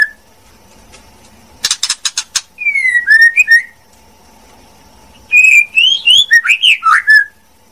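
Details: Female white-rumped shama delivering a quick series of harsh clicking notes followed by sliding whistles, a pause, then a flowing phrase of bright, rising and falling whistles.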